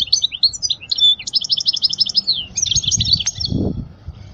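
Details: European goldfinch song to teach young birds: varied liquid twitters leading into a fast, dense trill, then a second tinkling run, fairly clean with a soft thud late on.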